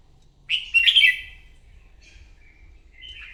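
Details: Wild-caught red-whiskered bulbul singing competitively in the morning during voice training: one bright, warbled chirpy burst, then faint short whistles and a closing trill.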